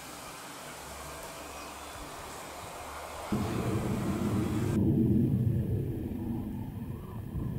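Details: Low, steady rumble like a passing vehicle or aircraft that swells sharply partway through, then holds loud and broad, with no animal calls heard.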